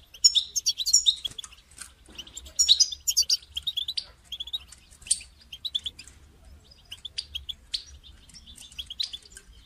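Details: Calling European goldfinch, offered to get a caged goldfinch singing; dense bright twittering early on gives way to scattered, thinner chirps and soft clicks that become sparse and quieter toward the end.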